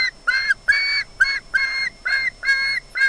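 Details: Osprey at Loch Garten, Scotland, filmed on a wildlife nest camera, squealing as if expecting fish: loud, squealy, slightly down-slurred calls repeated roughly every half second, about seven in quick succession.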